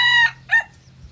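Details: Hybrid junglefowl from Phon Thong, Roi Et, Thailand, kept as a decoy bird, giving a short, loud, harmonic crow: a strong sustained first note, then a brief, slightly lower second syllable, all within about a second, over a faint low hum.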